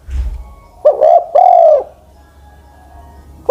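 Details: Spotted dove used as a ground decoy, aged over ten years, gives a single phrase: a brief doubled note followed by a long, low, slightly falling coo, with faint low rumble before it.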